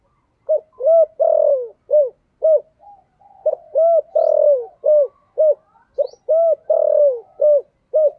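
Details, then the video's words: Spotted dove with 'giọng thổ' song style: three evenly spaced phrases of deep, hollow coos, each built from short arched notes and one longer descending coo, with soft murmuring between them. "chim cu gáy giọng thổ"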